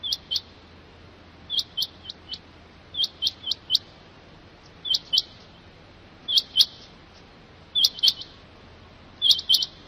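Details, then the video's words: Rain quail giving sharp, high metallic notes in quick pairs and triplets, the bursts repeated every second or two over a quiet background; offered as a calling voice for hunting. "Rain Quail voice//چنگاہ کی بہترین آواز"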